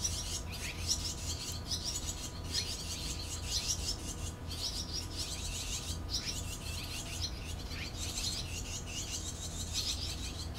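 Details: Barn swallow nestlings in the nest while the parents raise them, recorded 6 June 2013: a steady wash of high, thin, rapid chirps that rises and falls in bursts over a constant low background rumble.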